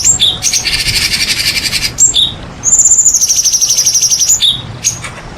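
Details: White-rumped shama (murai batu) song played as a lure to provoke lazy shamas into singing and unloading their repertoire; loud, rapid buzzy trills, a high thin drawn-out whistle running into another fast rattling trill, short sharp chips in between.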